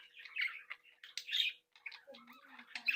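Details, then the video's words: Budgerigars of a captive breeding group chattering: scratchy warbles and bright squeaks with a short silence midway, then lower buzzy notes mixed into the chatter, with a steady faint hum. "Sonidos de Mi Cría de periquitos Australianos"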